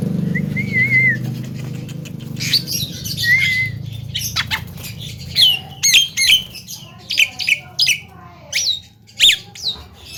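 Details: Young talking Javan myna kept in a cage, a chatty hopeful champion, starts with two soft wavering whistles above low rumble, then a fast run of sharp clicks and harsh squawks.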